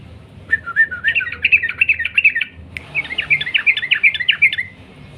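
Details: Sooty-headed bulbul singing in long 'ropel' style, used to prompt other bulbuls to sing: two back-to-back bursts of quick, rising and falling chirps, each run lasting about two seconds with barely a pause between.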